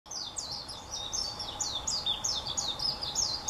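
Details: Japanese white-eye (Zosterops japonicus) singing in a tree in Kaizu, Gifu prefecture, Japan: a fast, high, twittering warble of quick slurred notes tumbling on without pause, over a faint steady hum; Warbling white-eye.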